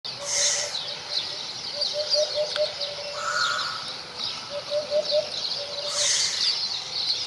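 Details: Hoopoe singing: soft, low, hollow hooted notes given in short runs of about three, repeated every second or so, with one brief harsher note midway, over steady high-pitched insect buzzing.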